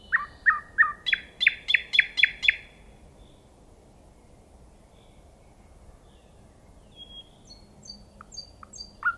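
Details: Common nightingale song opening with a fast run of about nine loud, sharp notes that climb in pitch, then a quiet pause before soft high whistles and a few clipped notes return.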